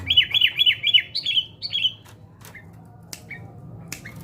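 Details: Sooty-headed bulbul in fight training, opening with a loud series of six or seven quick down-slurred chirping notes, then short sharp single chips spaced apart against a faint hum.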